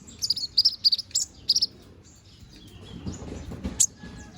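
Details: Konin sunbird, a young bird growing its feathers, singing briskly: a quick series of about eight high, sharp chirps in the first moments, then quiet hiss with one last bright high note.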